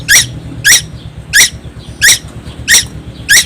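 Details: Nonstop singing of a young Timor Island tuwu: six rasping, scratchy squawks repeated at a regular beat of about 0.6 seconds, a faint hum running underneath.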